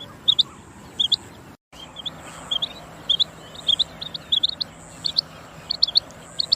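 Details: Female quail (batair) calling: sharp, high chirps with a quick up-and-down sweep, often in pairs or small clusters, repeating steadily through the recording, with a brief silent gap early on and a faint low hum underneath.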